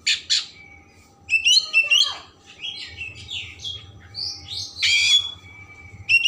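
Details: Oriental magpie-robin singing hard with a rich, varied repertoire meant to provoke emotion and tail spreading: sharp high notes, a falling slurred whistle, buzzy bursts and fluty phrases over a faint low hum.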